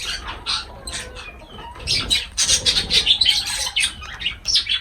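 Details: Pet lovebirds calling around feeding time, a rapid run of sharp, high chirps and short squawks, several overlapping, bursting roughly three to four times a second with brief pauses and faint low background rumble.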